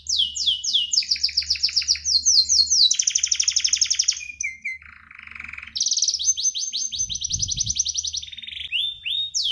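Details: Singing canary pours out long chains of quick descending chirps, breaks into a buzzy low roll, then resumes high rapid trills. A low background hum and a brief knock are heard.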